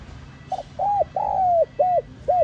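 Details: Spotted dove cooing in the prized 'giọng son' voice: a brief soft stutter leads into an arched hoot, a long level coo sliding down at its end, and two clipped rounded notes, mellow and low-pitched.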